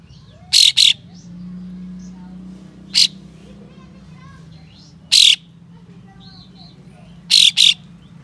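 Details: White-shouldered triller, kept as a master bird, giving harsh, spicy rasping bursts to provoke other trillers into fanning their tails; short noisy double rasps repeat every two to three seconds, with faint soft whistles and a low hum behind.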